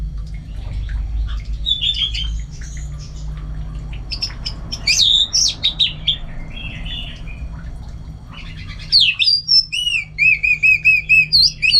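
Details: Orange-headed thrush singing at home: soft, scratchy warbling at first, building to a loud, rapid series of about eight clear, repeated whistled notes at the end.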